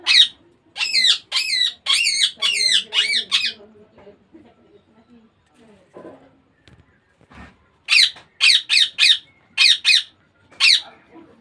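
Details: Baby Indian ringneck parakeet repeating harsh, grating squawks in two long bouts of eight or more calls each, separated by several seconds of quiet with faint low sounds and a few clicks.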